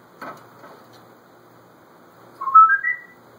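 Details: Male African grey parrot, a pet kept indoors and left alone in the room, recorded on a phone while talking and mimicking sounds: a soft click, then a short whistled phrase of rising, stepped tones near the end.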